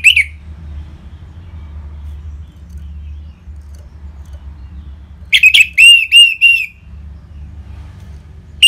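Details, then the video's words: Orange-headed thrush, played to trigger caged birds into singing: a single burst of rapid, repeated whistled notes after a long pause, with brief fragments at start and end over a faint low hum. "ANIS MERAH Ngeplong Mantap Pancingan Burung Langsung Nyaut Gacor"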